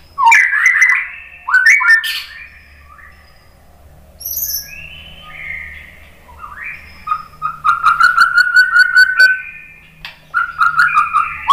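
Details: White-rumped shama lure song for provoking other shamas: sharp rising whistles and chirps, a soft warbled interlude, then rhythmic trilled notes repeated rapidly and more whistled phrases.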